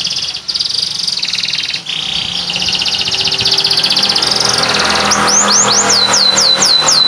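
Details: Canary singing, recorded for training other birds: a long rolling trill of high buzzy notes, ending in a fast series of sharp falling whistled notes, with steady engine-like noise behind.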